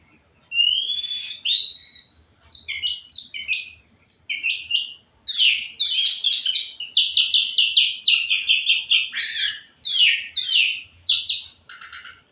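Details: Orange-headed thrush singing at full intensity: clear whistles at the start give way to rapid scratchy, trilled and buzzy phrases in a dense, unbroken flow.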